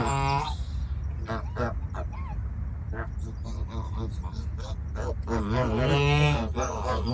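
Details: Farm geese giving a mix of brief honks and longer, wavering nasal calls, growing louder and busier toward the end, over a steady low background rumble.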